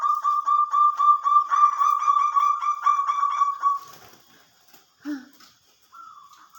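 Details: Zebra dove song used to stir other doves into singing: a rapid pulsed trilling coo held on one pitch for about four seconds, then stopping, followed by a short man's voice and a faint later note.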